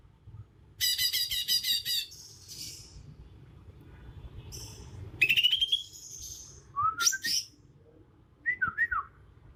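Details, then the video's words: Natural, unlearned song of a young Bornean leafbird from Kalimantan: harsh rapid buzzy bursts, a rising trilled phrase, then looping slurred whistles separated by short pauses. "Suara asli alam cucak ijo kalimantan"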